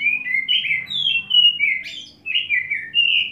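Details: Oriental magpie-robin (kacer) in ngobra display after wet setting, singing nonstop fills: overlapping warbled whistles rising and falling, with a brief buzzy high flourish in the middle.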